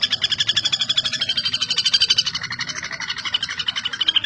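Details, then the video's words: Common flameback, also called common goldenback, calling vigorously: a fast, steady rattle of harsh, nasal notes, about a dozen per second, held for the whole stretch with a slight rise and fall in pitch. "Pelatuk Bawang Gacor (Pelatuk Besi) | นกหัวขวานสามนิ้วหลังทอง | Dinopium javanense"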